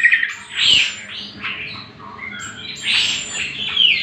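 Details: Cucak kombo, or greater green leafbird, giving harsh squawking notes used as training material for other birds: two loud rasping bursts separated by softer scratchy chatter.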